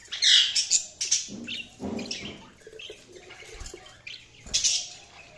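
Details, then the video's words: Budgerigars chirping in a busy sequence of bright high chirps and squeaky bursts, mixed with lower rustling and clicking sounds, and a louder chirp burst near the end. "Budgies Chirping sound"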